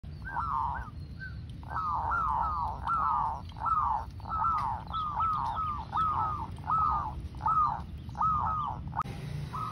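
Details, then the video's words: Local zebra dove singing, recording used as a lure: a steady series of about a dozen short, arched cooing notes, each rising then falling, repeated slightly under one per second, over low background rumble. "Perkutut lokal GACOR super pemikat"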